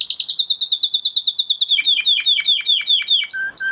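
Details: Huppe Spanish Timbrado canary bred in 2020, a flock bird, in training song: a quick rolling trill sliding slightly downward, then evenly spaced falling slurred notes and two short whistles at the end.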